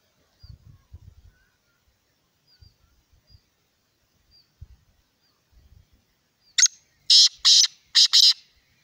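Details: Black francolin giving its call after several seconds of faint low thumps: a sharp short note, then two pairs of loud, rasping, scratchy notes in quick succession.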